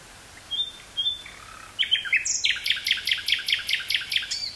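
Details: Two thin, drawn-out whistles open this nightingale phrase, followed by a quick run of chopped repeated notes; woods near Burgh-Haamstede, Netherlands, 18 May 1983, recorded with a Sony TCD-5M and Sony 949-T stereo microphone.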